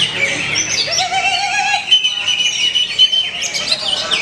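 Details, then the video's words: Greater green leafbird singing at a bird-song contest in Plembon, Klaten, a rich, rapid song of sweet whistles, slurred notes and high chattering trills, with other birds calling in the background. "Cucak Hijau"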